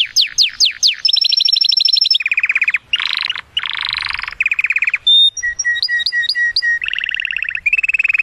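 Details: Male canary singing excitedly to stimulate a female for mating: varied rapid trills and rolls, buzzy low tours, dry rattles and clear high whistled notes switching every second or so, loud and continuous.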